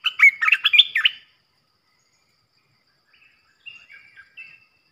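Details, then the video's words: A decoy red-whiskered bulbul, meant to provoke other bulbuls, delivers one rapid phrase of about eight loud, jumpy whistled chirps. Soft, distant twitters follow after a pause. "เสียงนกกรงตาแดงEp.16 Birds sounds เสียงต่อนกกรงตาแดงตัวดุๆ"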